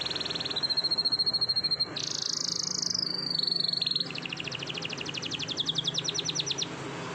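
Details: Morning song of a canary with long rolls: high whistled phrases, a bright buzzy trill, then a fast run of clipped repeated notes, all clear above a low noise floor.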